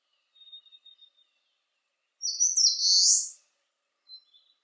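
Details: Eastern crowned warbler in sunshine at 19°C, giving one strong high buzzy phrase of quick opening notes sliding into a slurred buzz, preceded by soft, thin repeated notes.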